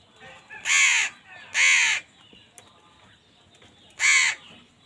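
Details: Crows fighting over food alongside wild birds; two loud harsh caws in quick succession, a pause, then a third caw.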